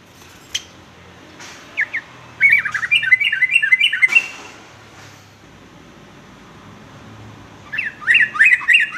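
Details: Sooty-headed bulbul, a recording meant for training young males to sing varied songs; short bubbly whistled phrases around mid-high pitch in two bursts, separated by a quiet gap.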